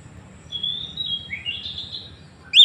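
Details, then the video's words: Oriental magpie-robin in Woncoyo village, Trenggalek, Indonesia, recorded on an Android phone, giving a 'tembakan' burst meant to provoke rivals: long thin high whistles, a rising slurred phrase, then a sudden loud note at the end over low rumble. "Tembakan kacer paling di cari sekali bunyi langsung bongkar"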